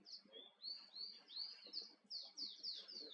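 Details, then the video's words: Wild male Island (Atlantic) canary on Tenerife sings a fast, continuous run of high, sweet twittering and trilled notes, several phrases a second, with a faint low background rumble. "Island Canary♂"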